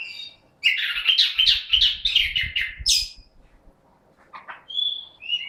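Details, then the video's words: In 'gacor' condition, an orange-headed thrush pours out a rapid, dense chattering warble for about two seconds, then falls quiet before a few scattered sharp whistles. "Burung Anis Kembang GACOR"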